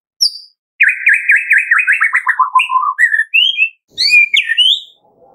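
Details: White-rumped shama morning song, played to stimulate captive birds to sing: a rapid descending series of chirped notes, then separate rising whistles at varied pitches.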